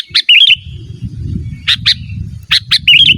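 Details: Lively sooty-headed bulbul song meant to lure wild birds and train caged ones: bright chirps followed by quick rolling warbled phrases, repeated three times, over a soft low hum.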